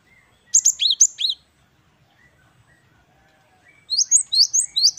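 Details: Gelatik batu wingko, the great tit, singing busily in the style called 'wucit-wucit kristal': two bursts of bright, piercing two-note phrases repeated quickly, separated by about two and a half seconds of near silence.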